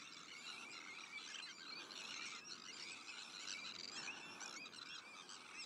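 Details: Noisy breeding colony of Sandwich terns with black-headed gulls, Arctic and common terns nearby: shrill, scratchy calls from many birds overlap in a constant din, swelling and easing slightly.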